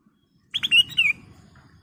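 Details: Ruby-throated bulbul lure song for caged birds, a crisp phrase of two sharp notes and a fluty whistle sliding downward, in near silence.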